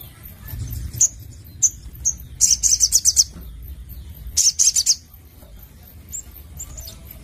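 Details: Crimson sunbird, known as sogon, lets out short high squeaks, then two brief clusters of fast, piercing trilled notes separated by a pause, with a few thin chips trailing off.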